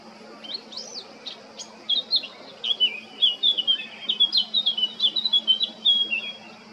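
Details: Male Eurasian blackcap singing at Baška on the island of Krk, Croatia, on 20 July 2022: a hurried warbling run of short fluty, varied notes that quickens and grows louder, over a steady high insect-like hiss and a faint low hum.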